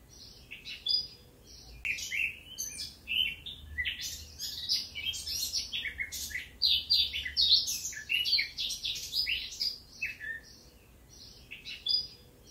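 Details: A Eurasian blackcap (Sylvia atricapilla), recorded in Occitanie, southern France, in 2022, sings a rich, fast warble of varied, scratchy and fluting notes, pouring out in bursts almost without pause, over faint low background hum.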